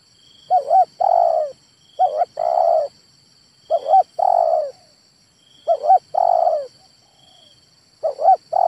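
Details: Male spotted dove calling: phrases of two quick clipped coos followed by a longer burry coo, given roughly every two seconds, over a faint continuous high whine.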